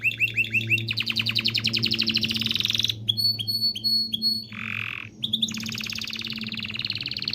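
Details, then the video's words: Canary song used to stimulate mating: quick repeated chirps, a long rapid trill, separated thin high notes, a brief harsh buzzy burst, then another fast trill. "تغريد كناري لتدريب ذكور واناث الكناري على التزاوج. صوت كناري لتزوج .. Canary singing"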